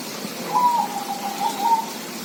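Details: A zebra dove sings one phrase: a clear higher coo followed by a quick, level train of soft cooing notes ending on a slightly raised note, over a quiet hiss.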